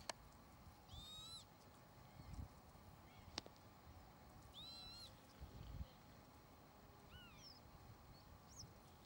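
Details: Northern lapwing, also called peewit, calling; three faint, wheezy, rising-then-falling slurred calls spaced a few seconds apart over steady low background noise and a constant hum.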